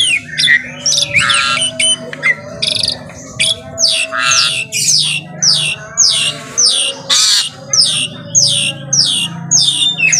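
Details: Asian pied starling in full morning song, loud harsh squawks and rasping notes mixed with whistles, delivered in rhythmic bursts roughly every half second over a low steady background drone.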